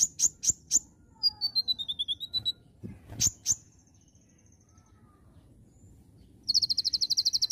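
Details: Oriental magpie-robin (konin) singing actively in the 'gacor nembak' style: three sharp high chips, a falling run of clear whistled notes, two more piercing notes, then a fast buzzy rattling trill at the end; quiet background.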